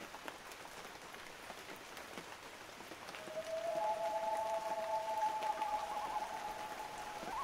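Steady rain patters, then a loon gives a long, mournful wail: a held low note that lifts to a higher one and wavers at the end.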